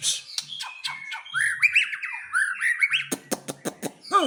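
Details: White-rumped shama of the Aceh type in a bongkar isian display: clicking notes lead into a warbled run of sliding whistles, then a quick series of sharp ticks and a final downward-swooping note.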